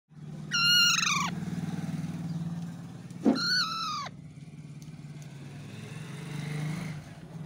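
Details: Parrot giving two harsh, harmonic-rich screeches, each about three-quarters of a second long and dropping slightly at the end, about three seconds apart, over a steady low engine-like hum.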